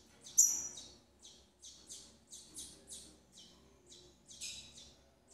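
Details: Captive Double-collared seedeater female tending her chicks; a series of thin, high chirps comes at roughly half-second intervals, opening with one sharp louder note, in a quiet setting.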